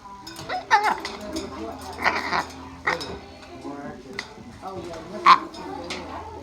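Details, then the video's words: In a pet store, an umbrella cockatoo that greets visitors gives short, breathy, speech-like bursts like "hello", a few squawky syllables spaced about a second apart, with background music and store noise. "Talking Parrots"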